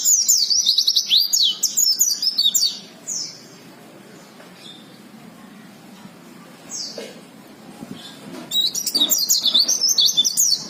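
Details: Oriental white-eyes kept by hobbyists, from wild-caught to long-kept birds, deliver bursts of high, twittering song made of quick, thin notes, first for about two seconds, then isolated chirps, then another lively burst near the end.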